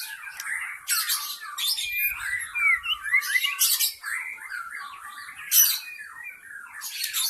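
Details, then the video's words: Wild forest white-rumped shama singing as a lure for wild birds: dense varied whistles and sliding notes punctuated by loud harsh rasping bursts every one to two seconds. "SUARA PIKAT MURAI BATU ASLI HUTAN 100% MEMIKAT MURAI BATU AGAR GACOR"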